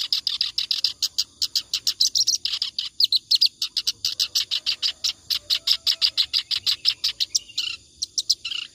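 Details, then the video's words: Clamorous reed warbler singing continuously in the ngacor style, kept as tutor song for training other birds; a fast, unbroken run of harsh, high chattering notes, about five per second, with no pause for nearly nine seconds. "BURUNG KERAK BASI NGACOR COCOK BUAT MASTERAN"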